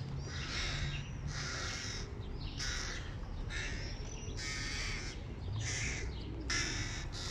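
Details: Hooded crow chicks begging from their food-carrying father, roughly one hoarse, grating squall per second in uneven rhythm, bursts of differing length, accompanied by a low continuous rumble.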